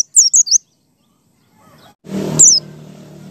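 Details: White-eye used as a lure to make other white-eyes sing: three high, twittering descending notes, then a thump of handling noise and one more high sliding note over low background hum.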